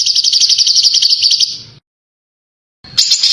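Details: Contest-bird training recording of a bird giving dense, harsh screeching song with sharp bursts: a rapid, very high, buzzy trill for nearly two seconds, a second of silence, then the same trill starting again.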